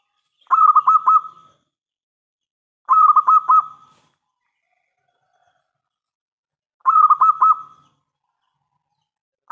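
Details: Local zebra dove (perkutut) in full voice, loud song used as a lure to make other doves answer; short burry phrases of rapid stuttering coos, each about a second long, repeated every few seconds with silence between.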